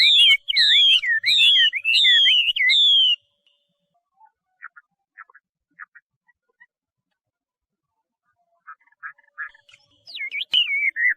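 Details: Chinese hwamei delivering a few loud, looping whistled phrases, followed by quiet scattered chips and a final rising whistle.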